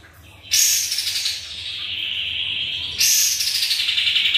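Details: Sooty-headed bulbul, energetic lure song meant to make other birds answer: two long, harsh, buzzy bursts, each starting high and slowly sliding lower, separated by a short gap.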